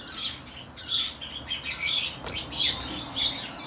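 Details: Pair of plum-headed finches in captivity in Fukuoka, Japan, recorded 3 July 2023: soft high chirps and short squeaky notes in irregular bursts, with a faint rustle or wing flutter near the middle.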